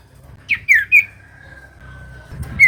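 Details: Common iora song used as a lure for reluctant singers: three short whistled notes, a long thin even tone, then a final falling whistle.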